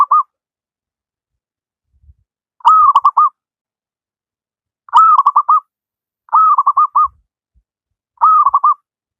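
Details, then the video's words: Wild local zebra dove in full voice, meant as a model for lazy doves. Repeated soft rolling coo phrases, a long note then several fast bubbling notes, come every one to two seconds in near silence. "Burung perkutut lokal alam gacor"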